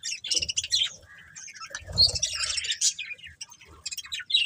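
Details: A breeding pair of colourful budgerigars in a family group gives quick, high twittering chirps and squeaky notes in uneven bursts, with a brief lull mid-clip and soft low bumps.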